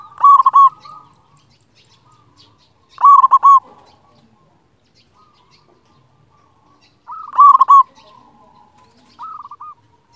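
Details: Loud-voiced local zebra dove singing to rouse silent or stressed doves and stir their breeding mood: clear stuttered cooing bursts every few seconds, one followed by a softer rolling coo, quiet murmurs in between.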